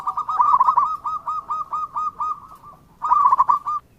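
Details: Singing local zebra dove, a strong, steady string of short staccato coos repeated rapidly, then a brief pause and a second loud burst of quick cooing notes.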